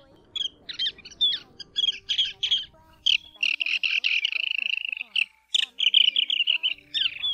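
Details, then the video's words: Lesser sand plover giving hard, trilled chirrups and dry chattering notes in quick, high, nearly continuous bursts, with a faint low rumble early on. It is played as a lure for night net-trapping in the August 2024 season. "Tiếng Choi Choi Mông Cổ"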